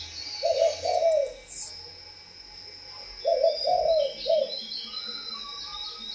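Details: Spotted dove, a kept bird, cooing in two bursts, each of several short low hooted notes, the first phrase around half a second to one and a half seconds, the second near three to four and a half seconds; faint background hiss.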